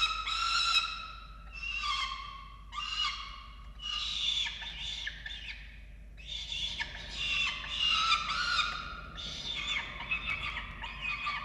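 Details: Nest-camera recording of falcons feeding chicks in Orange, Australia, 13 November 2022: bursts of harsh, harmonic squawks about a second long, repeated in quick series with short pauses.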